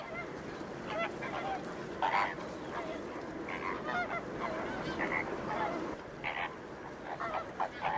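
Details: Flamingos at the Ludo saltpans, Portugal: a dense, distant-sounding chorus of nasal honks and gabbling, individual calls blurred into a steady murmur of the flock.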